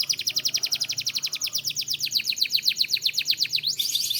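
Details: Canary from Türkiye delivering a fast, steady trill of sharp high notes about nine per second, ending in a dense burst of high chatter.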